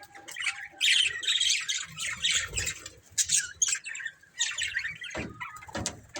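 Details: A breeding pair of budgerigars chattering busily, with scratchy, squeaky chirps and warbles tumbling over one another in quick irregular bursts. A few sharper clicks are heard near the end.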